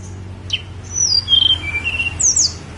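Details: A Snowy-browed flycatcher on Gunung Songgo Langit sings a thin whistled phrase. Clear high notes glide downward, then two sharp, very high, upslurred notes close it, over a faint low hum.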